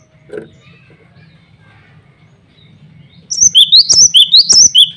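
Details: After about three quiet seconds with a faint knock, a male cinereous tit calling rivals and females bursts into a rapid series of around eight bright whistled notes.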